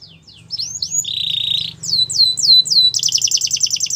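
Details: Belgian canary singing to get other canaries to sing: varied whistled slurs and a steady buzzy rolled tone, then repeated downward sweeps and a rapid rattling trill, over a faint low hum.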